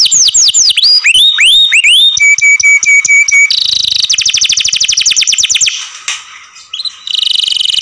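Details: Caged canary singing loudly: opening run of clear, curved whistled notes, then a rapid rattling trill of repeated notes, a steady high buzz, a brief quiet pause near six seconds, and a final bright trill.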